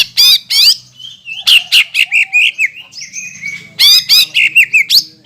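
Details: A greater green leafbird sings energetically as a lure for other leafbirds: harsh buzzy bursts mixed with rapid slurred whistles and twittering, in a dense, continuous phrase.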